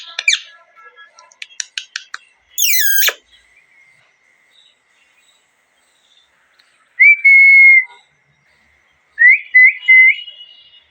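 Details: Natural parrot calls: a rapid run of clicking chirps, a harsh, harmonic-rich screech, then a long, steady whistle and a set of short rising whistled notes.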